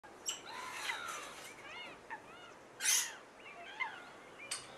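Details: A flock of whooper swans at Nosterfield on 28 February 2015 gives distant, bugling, arched calls, several overlapping at an uneven pace, with a few sharp bursts of noise in between.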